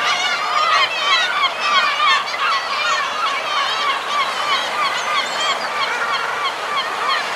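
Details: A group of common guillemots on their breeding ledges gives a dense colony chorus of overlapping harsh, braying, growling calls, mixed with higher wavering cries from fulmars and kittiwakes.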